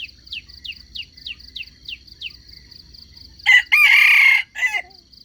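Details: Red junglefowl crow used to lure wild chickens into a trap. A series of short downward-sweeping chirps repeats about every third of a second before a loud, harsh crow in three parts, lasting about a second and a half.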